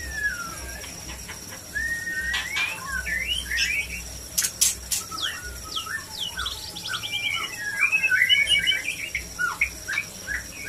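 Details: White-rumped shama, played to stimulate mating; varied whistled and slurred phrases around the upper-middle range, with quick chattering runs and sharp clicks, faint and somewhat distant over a steady low hum.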